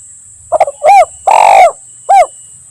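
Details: Lure recording of a spotted dove, lambung Kuk 1 Mersik style, to make doves respond during trapping in forest: a pair of soft clipped notes, a short coo, a long rolling coo and a short ending coo, with a steady high tone.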